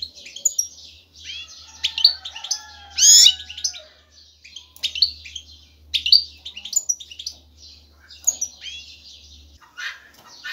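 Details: European goldfinch male singing excitedly to attract a female for mating and nest building: rapid, liquid twittering of bright chirps and trills, bursts with short pauses, a louder tumbling phrase near three seconds, steady low hum beneath.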